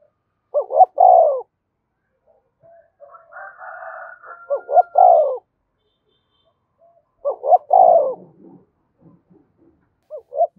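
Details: Spotted dove calling to stimulate fighting: low, hoarse coo phrases at about 0.6, 4.5 and 7.5 seconds, with a softer, wavering murmur between the first two and a short final coo near the end.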